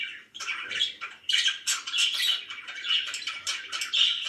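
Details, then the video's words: Indoor pet budgerigars, said to be very happy, giving a lively run of bright chirps, squawks and warbles in fast uneven bursts after a brief quiet opening. "VERY HAPPY BIRDS #chirpingbirds #budgie"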